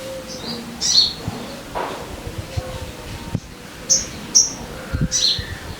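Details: High, piercing chirps from a sogon, meant to stir caged birds into singing, come in short separated bursts over soft background rustling and a few low knocks.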